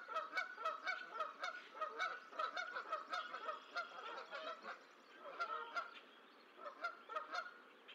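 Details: Geese at the Decorah eagle nest, 14 April 2024, as the last of six goose eggs hatches: bursts of quick, repeated nasal honks in uneven runs, pausing briefly midway, with scattered clicking sounds.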